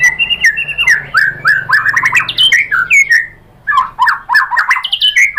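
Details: Indonesian murai batu, the white-rumped shama, singing in a lure recording meant to excite rivals: dense, energetic run of looping whistled slurs and chattering notes, a brief pause, then another fast burst.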